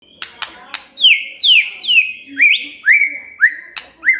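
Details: Magpie-robin song aimed at getting a quiet bird to sing: sharp clicks open a series of bright whistles, each swooping down then held level, repeated about twice a second.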